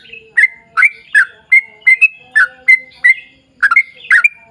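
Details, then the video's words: A sooty-headed bulbul sings continuously as bait to set other bulbuls singing: clear whistled notes and slurred chirps in a loose series of about ten phrases, some flat and pure, others dropping sharply. "trucukan gacor ROPEL PANJANG buat pancingan trucukan agar bunyi"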